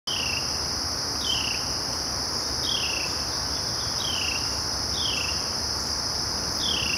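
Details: Carolina wren giving cheer calls at Jarvis Bird Sanctuary, Chicago, on 29 August 2012: short, high, downward-slurred notes repeated about every second, over a loud, steady chorus of insects.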